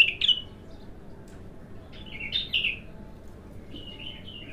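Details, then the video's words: Bulbul in its first raw song session: three brief bursts of sweet warbled notes separated by pauses of a second or more, against quiet low-pitched background noise. "تغريد الابتر خام اول فتحـه له"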